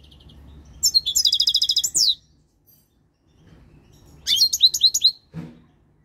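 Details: Three-year-old captive European goldfinch coming into breeding condition, singing two bursts of tinkling, high twittering notes, a rapid trilled run of about a second and then a looser series of sweet chirps, quiet room hum between.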